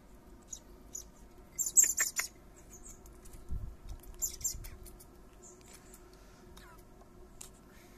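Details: Common blackbird fledglings, three young fed by their father in a garden, produce two loud flurries of shrill high begging squeaks, followed by soft low thumps and rustling and a few scattered faint notes.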